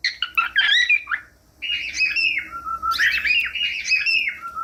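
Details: Cockatiel singing, used to teach other cockatiels: quick chattering chirps, then long stepped whistles that drop in pitch, repeated twice, over a faint low hum.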